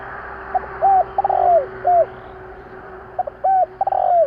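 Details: Spotted dove, recorded to provoke decoy birds, giving two cooing phrases about two seconds apart. Each has short lead-in notes, a drawn-out burry coo and a falling end note. A constant low electrical hum sits underneath.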